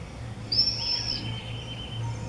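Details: Common swift 'banger' at the entrance holes of observation nest boxes in a house at Beek-Ubbergen, Netherlands, 8 June 2014: one high, thin, drawn-out buzzy scream lasting under a second over a faint low hum.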